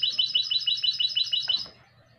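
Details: Classic goldfinch × canary hybrid (mixto) singing a fast, even trill of high, bright repeated notes, about eight per second, ending in a short burst, over a low steady hum.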